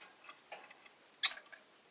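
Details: Rosy-faced lovebird kept as a pet, producing a single sharp, rasping chirp midway, with soft ticking and clicking sounds scattered before and after.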